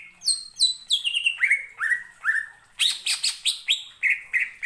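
A greater green leafbird pours out loud, high whistles: sharp downslurred notes a few times a second, then a burst of rapid chattering phrases.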